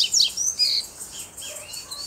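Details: Loose, wild double-collared seedeater, black with a bluish-white bill, singing firmly close to a female; loud, bright, high whistles sweep down in fast phrases, then softer notes follow, under a pulsing insect chorus.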